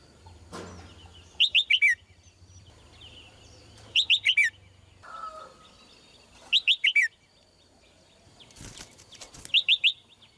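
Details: Red-whiskered bulbul, a female, sings four short bursts roughly every two and a half seconds, each a rapid string of three or four clear, downward-slurred whistles; a brief rattling clatter is heard between phrases.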